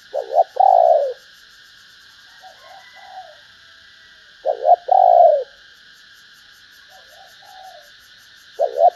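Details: Female spotted dove calling to excite males: low, mellow two-part coos at about 0 s and 4.5 s, each a short note then a longer hollow one, with softer distant coos between and a constant high insect-like drone behind.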